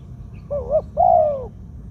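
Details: Single song phrase of a decoy spotted dove with a medium-pitched voice in the 'two kuk, khu-aang' style: a soft double-peaked coo, then a long smooth arching coo fading away.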